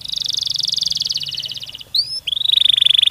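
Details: Canary singing a long, tightly packed trill used as a lure for other canaries: a steady buzzy rattle of rapid notes, a brief pause with two rising whistles, then the fast trill resumes at a slightly lower pitch.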